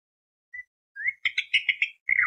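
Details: Lure song of a greater green leafbird, tembak beset long-roll style: a single thin whistle, a rising slur, then a rapid run of five sharp, rich notes and a falling buzzy phrase.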